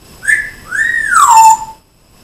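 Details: Loud whistle from a pet African grey parrot that mimics speech. A brief steady tone is followed by a long arching note that rises, then glides downward and fades. Quiet room, and a person speaks softly around it.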